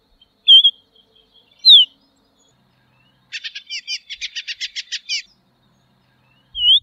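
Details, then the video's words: Tropeiro seedeater, a threatened seedeater, singing a few pure whistled notes, one sharply slurred, then a quick rattling run of about fifteen buzzy twittered notes lasting two seconds, followed by another whistle; quiet background. "Canto da Patativa Tropeira Sporophila Beltoni"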